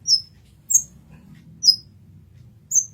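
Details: Masteran-style recording of an olive-backed sunbird (kolibri ninja): four crisp, high, downward-flicking chirps spaced about a second apart, clean against quiet low background hum.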